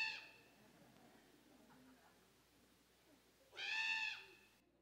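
A Common Raven gives harsh, nasal, drawn-out cries: one clipped at the start, then a full wavering squall after a quiet gap with faint room noise.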